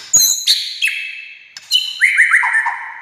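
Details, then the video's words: White-rumped shama singing, meant to provoke other shamas to answer: sharp high whistled notes, then descending slurred whistles ending in a quick rapid series of rising phrases. "SUARA kicau MURAI INI Buat semua jenis murai gacor,buat Murai DIAM Langsung NYAUT"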